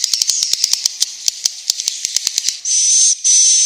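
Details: Swiftlets in an original recording used to draw them to roost: a rapid run of sharp, high clicks about a hundred a minute, giving way to two sustained, buzzy high-pitched tones.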